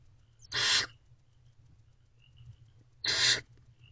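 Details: Two loud, hissing barn owl screeches two and a half seconds apart, from a nest box at night where the female feeds her owlets; faint thin squeaks between and little else.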